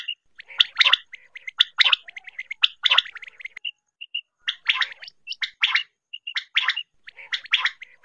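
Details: Quail (batair) call recording used for hunting; bursts of sharp chirping and gurgling notes, mixed with short clear whistles, repeated in quick clusters about once a second.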